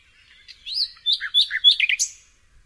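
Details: A single nightingale phrase of varied notes, some slurred and whistled, others short and chirpy, jumping between higher and lower pitches over about two seconds.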